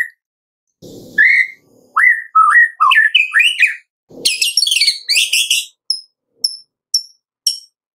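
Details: White-rumped shama singing a kretekan lure meant to make other shamas sing: rising and falling whistled notes climbing in pitch, a dense crackling high jumble, then a few isolated sharp high pips.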